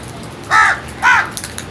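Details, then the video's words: Two short, harsh crow caws in quick succession, half a second apart, grating and nasal, given while the birds feed; faint clicks follow. "Crows Sounds | Crows lovely and wonderful world | Crows feeding"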